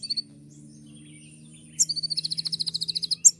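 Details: Kolibri ninja sunbird 'tembakan' song: a few opening notes, then a sharp chip launching a rapid, rhythmic trill of about fifteen high ringing notes, ending in another loud chip, over a low hum.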